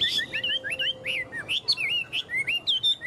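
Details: Lively song of a caged tame Chinese hwamei that shows off its wings and tail: short looping whistles, rising and falling, repeated in an uneven series of about three per second.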